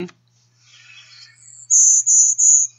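Golden-winged Warbler type 1 song: a thin, very high introductory note, then three loud, evenly spaced insect-like buzzes, preceded by faint softer buzzy notes.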